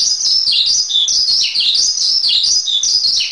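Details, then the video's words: Song of a Javan pied starling recorded as a tutor track: shrill, tumbling whistles and squeaks with some descending slurs, delivered in an unbroken, lively sequence. "Masteran Suara Jalak Suren"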